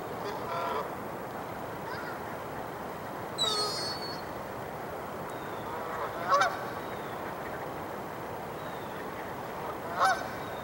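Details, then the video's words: Canada geese at Dufferin Islands on December 9, 2022, preparing for a fight that never really developed, give a few loud, harsh honks at irregular intervals, about three in ten seconds, over steady rushing background noise. "Canada Geese Gang Wars"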